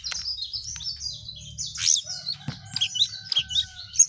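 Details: Sooty-headed bulbul in lively song: a run of thin, high slurred chirps flowing into scattered sharp notes and short twitters, with a quiet low background hum.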